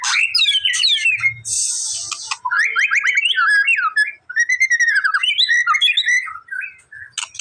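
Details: White-rumped shama song used to provoke a response from a bird that is reluctant to sing: rich, varied whistled phrases with rapid rising and falling slurs, a harsh buzzy burst early on, then cascading looping whistles.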